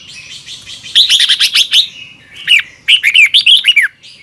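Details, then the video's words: Red-whiskered bulbul giving morning song in the double twisted voice style, used to train wild-caught birds: a buzzy chattering phrase, a pause, then a fluid run of rolling, dipping whistles. "Luyện chào mào hót sáng 2022 - Hót hay nhanh căng lửa | Ép bổi Giọng xoắn kép"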